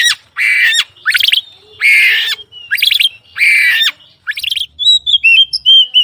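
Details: Oriental magpie-robin from morning to night: a run of raspy, grating bursts broken by rapid stuttered notes, then a change to short clear whistles and chirps.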